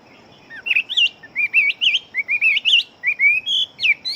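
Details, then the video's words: Chinese hwamei kept for fighting, known as a fast, strong singer. Clear whistled phrases of rising and wavering notes follow one another quickly, about three per second, varied and melodious. A faint continuous high tone sounds behind. "Họa Mi Chiến Siêu Mau Mỏ Bộ To Hót Tốt"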